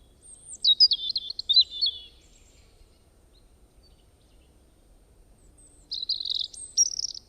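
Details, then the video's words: A bird, said to make many different kinds of sounds, gives a quick run of high, wavering whistled chirps, then silence, then a second burst of buzzy high notes near the end. "একটি পাখি কতো রকমের আওয়াজ করে,Birds sounds"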